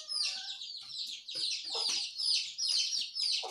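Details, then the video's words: Morning birdsong from a group of small birds: bright, crowded chirping in rapid bursts, roughly two notes a second, with brief dips in loudness between busy phrases. "Suara Burung Jongkangan, Terucukan , Pleci di pagi hari"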